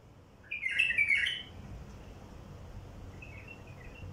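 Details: Song of a wild bulbul, played to attract wild bulbuls: one loud, rich, bubbling phrase of tumbling notes about a second long, followed by a faint, distant short phrase, with steady low rumble behind.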